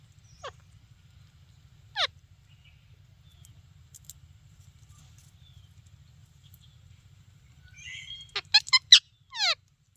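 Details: Sparse parrot chirps: single falling notes well apart in near silence, then a short burst of rapid, harsh, harmonic chirps and a sweeping note at the end, with a faint low hum underneath.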